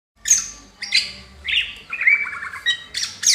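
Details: Greater green leafbird fanning its tail: a rapid run of harsh, scratchy chattering bursts mixed with shrill squeaky notes, loud phrases following one another without pause.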